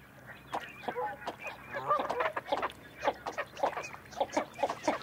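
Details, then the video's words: Northern shoveler calling in dense, nasal, quacking bursts that run close together for the whole stretch, loud and rough-edged, with overlapping voices. "Canard souchet / Northern Shoveler / Spatula clypeata"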